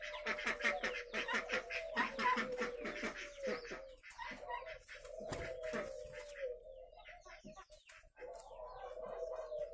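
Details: Spotted doves housed at a breeding farm in Vân Hòa, Ba Vì, Vietnam, with many birds cooing at once in low, soft rolling phrases, mixed with sharp clicks and wing or cage rattles.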